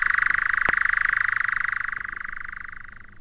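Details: A European nightjar, a scarce summer visitor, churring at dusk in June in British woodland: an unbroken, very rapid dry trill held at an even pitch, slowly fading over three seconds, with one sharp click partway through.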